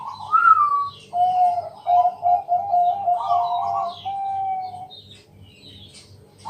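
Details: Bangkok zebra dove singing at night to lure other doves into singing: a rising coo, then a series of mellow pulsed notes merging into a long sustained warble that fades, with a low hum underneath.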